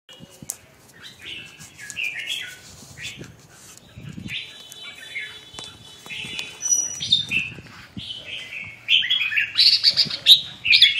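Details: Red-whiskered bulbul singing: scattered warbled notes that build in strength, with loud fluty phrases crowding together toward the end over faint background rustling.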